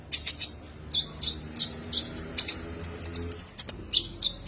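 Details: Konin, the common iora, calling a rival: clustered high chirps, then a long, thin, slightly wavering whistle and a final sharp note, over faint background hum.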